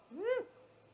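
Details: Nest camera at 00:03 on 30 March 2018 as a great horned owl attacks a great gray owl at its nest: a single brief, harsh screech that rises and falls steeply.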